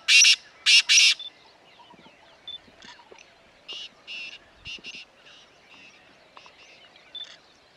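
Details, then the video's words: Black francolin calling in grassland at Corbett Tiger Reserve, Uttarakhand, India, on safari: two loud harsh grating notes open, followed by a fainter irregular series of rasping notes, with quiet background birds. "Black francolin"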